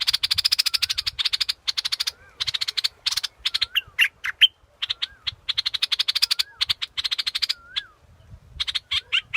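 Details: Repeated rattling trills and sharp high chips from a scarlet-backed flowerpecker, with a faint, lower, rising-and-falling whistle recurring in the background.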